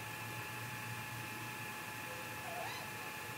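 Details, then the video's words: Great grey owl vocalising in the night, 15 May 2018, 3:58 am, Mission Valley live cam, possible confrontation; one brief faint upward-sweeping call near the end, set against steady background hum. "Great Gray Owl MVMT Vocals in the Night"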